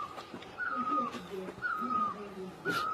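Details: Great barbet in Asia giving three loud, slightly falling, drawn-out notes, each followed by a quieter pause, with softer lower warbling notes underneath.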